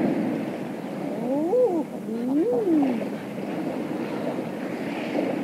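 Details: On an offshore sea in late spring, Eiders call on the water in the evening: two low, moaning coos about a second apart, each swelling and falling like a soft 'ah-ooo', with wingflaps and a steady wash of waves.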